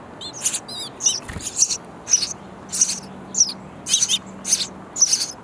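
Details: Sparrow nestlings in a bird house calling for food from their busy parents; opens with thin wavering whistles, then high rasping chirps repeat about twice a second, with a brief thump midway.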